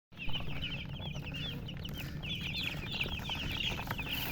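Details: Baby chickens chirping together: a dense flock of short, high, rising-and-falling peeps overlapping without pause, over a steady low hum.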